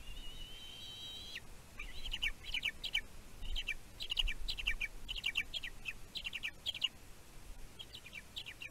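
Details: Bald eagle chick at a Catalina Island nest, California, USA, nest cam recording from 15 June 2023 as its mother delivers food. One long high whistle gives way to a fast series of sharp, chittering squeaky notes repeated in bursts.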